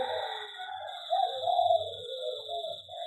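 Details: Zebra dove kept in an aviary gives a mellow, low cooing song, its notes rising into a louder rolling burst near the middle before softer trailing coos, over a constant thin high-pitched hum.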